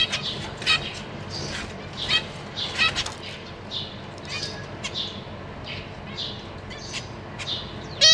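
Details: Zebra finch parents and six young in a large cage, 14 April 2023, adults feeding newly fledged babies. Soft, thin downslurred peeps repeat among a few louder nasal calls, ending in a sharp call burst.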